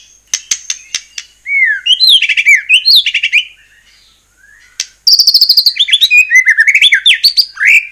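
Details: White-rumped shama singing as a lure to provoke other shamas: a few sharp clicks, then bursts of rapid, rich whistled phrases with rising and falling slurs, pausing briefly before another loud, fast sequence.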